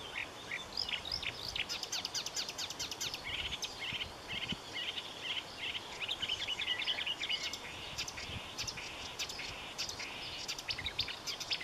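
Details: A long, dense marsh warbler song, a continuous fast babble of high chatter, trills and buzzy phrases, with a short pause halfway through before the song rushes on.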